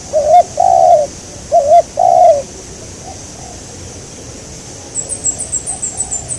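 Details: Spotted dove heard while trapping a local wild dove: two paired coos, each a brief wavering note and a longer sliding one, then quiet and a rapid series of high chirps from another small bird.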